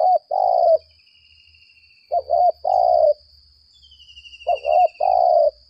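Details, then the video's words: Spotted dove decoy ('lambung kuk' type) calling at length in contest, mellow coo phrases repeating roughly every two seconds, each a quick double note then a long burry coo, with a constant high whine. "Ternyata pikat ini pandai juga berl4g4"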